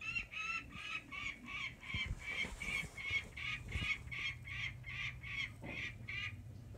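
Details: Peregrine falcon protecting its young chicks and territory, giving a harsh, grating kak-kak-kak, about two notes a second, held steady throughout, over a low rumble of wind.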